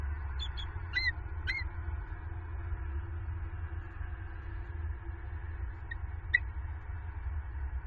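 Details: Wild bald eagle pair at their nest in Southwest Florida on 28 November 2022, giving alarm vocals after an owl knocked the female off her perch; a few thin, high, sharp chittering notes early, then two faint notes, over steady low wind rumble.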